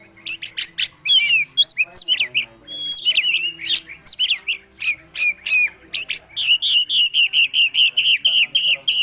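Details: Oriental magpie-robin song from a young bird past its spotted juvenile stage. Fast, varied and loud, it mixes squawky notes and sweeping whistles, then ends in a long run of rapid repeated chips.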